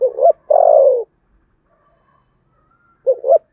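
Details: Spotted dove giving contest cooing in the Sấm Thổ voice style: a short two-part coo, then a long descending coo, with a repeat of the opening notes after a pause of about two seconds.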